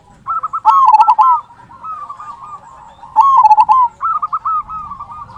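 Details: Local zebra dove, an active singer with a large "kung" call used as a lure for silent zebra doves: two loud choppy coo phrases with ringing accents, each followed by quieter bubbling notes.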